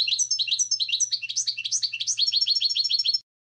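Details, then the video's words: Goldfinch singing a lively, continuous twitter of high, liquid notes, with varied chirps and slurs running into a steady, rhythmic chain of repeated notes, clean and without background noise. "Goldfinch Song"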